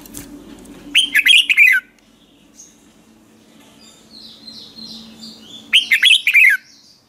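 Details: Morning training song of a red-whiskered bulbul, a lure sound for coaxing bulbuls to sing. Two rapid phrases of bright, slurred whistles falling at the end, separated by a quiet gap with faint distant twittering and low hum.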